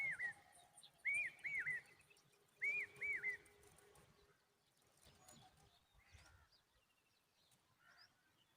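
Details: Common babbler calling noisily to protect its young: clear groups of two or three quick arched, chattering notes, each group about a second apart, then quieter scattered chirps and background rustle.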